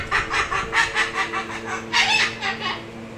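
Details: A Moluccan cockatoo laughs in a string of rhythmic, raspy "ha" bursts, about four per second, louder toward the end, over a constant background hum.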